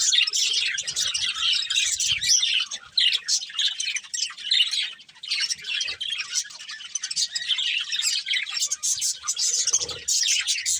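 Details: A budgie breeding pair chirps while eating: continuous rapid squeaky twitters and warbled notes in short pulsing bursts, with a brief low thump near the end.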